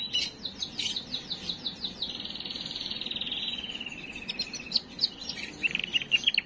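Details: Canary singing to stimulate and ready females for breeding: rapid repeated sharp notes, then a sustained smooth rolling tour that slowly falls, then scattered high chips. Quieter recording with a soft background hiss.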